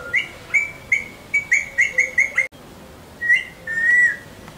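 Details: A parrot whistles during training: a quick run of about eight short, bright whistled notes, a brief silence, then two longer level whistles.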